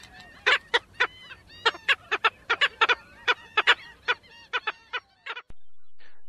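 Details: Black Skimmer in Florida giving short, nasal, barking yaps, about twenty in five seconds at an uneven pace, like a small dog's yelp.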